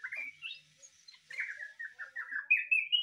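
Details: Yellow-vented bulbul (trucukan) song said to resemble a greater green leafbird: a quick run of whistled, warbling phrases around mid-high pitch, ending with louder rising notes repeated about twice per second.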